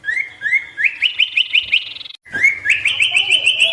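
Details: Sirtu song in full wild variation, used to provoke wild birds into approaching: a series of short, bright, upward-slurred chirps repeated about every quarter second, a brief break, then a faster, denser run of rising chirps.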